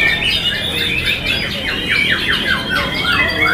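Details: White-rumped shama, a caged contest bird hung on the gantangan pole, once bowing in courtship display and now singing with open beak in long bursts: quick series of bright descending whistled sweeps repeated rapidly, over a busy background of other birds.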